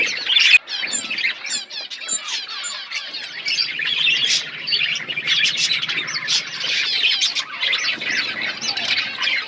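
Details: Budgerigars kept as pets chirp while feeding, a steady flock chatter of fast rising and falling chirps and warbling trills, with a faint low hum underneath.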